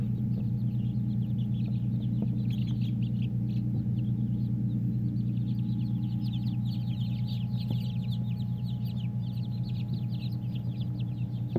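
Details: A tub of day-old Silkie chicks hatched on March 16, 2018: a busy chorus of small, high, rapid peeps, rising and falling in intensity, above a loud constant low hum.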